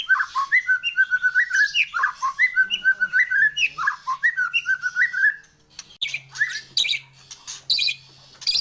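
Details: Loud 'gacor' song of a White-rumped shama, meant to set other birds singing: rapid chains of rich whistled and warbled notes for about five seconds, then harsher, scratchier bursts with a low steady tone.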